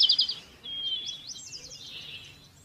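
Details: A brief burst of bright high twitters, then a long thin whistle and softer scattered chirps from other birds over faint background noise.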